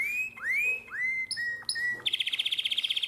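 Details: Domestic canary in nightingale-voiced song, Drama, Greece, 2017: several rising, swooping whistles in sequence, then a bright, fast pulsed trill of about a dozen notes.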